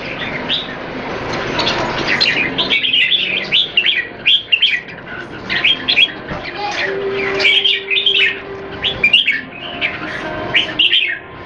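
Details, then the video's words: Several caged red-whiskered bulbuls in Singapore in a singing match, one molting; a dense run of bright, chirpy warbled notes repeated in quick clusters over about eleven seconds, with a faint steady low tone midway. "นกหัวจุก JAMBUL"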